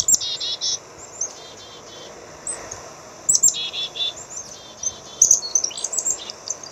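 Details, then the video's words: Black-capped chickadee giving its call: a short series of hoarse, buzzy dee notes near the start and again midway, mixed with sharp high chips and twitters. "black cap chickadee bird"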